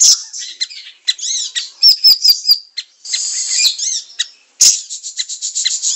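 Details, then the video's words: Siri-siri in full song, used to train other songbirds: dense high twittering with a short series of bright descending whistles, then a harsh buzzy chatter and rapid ticking notes. "Masteran siri siri gacor 100 % nyamber"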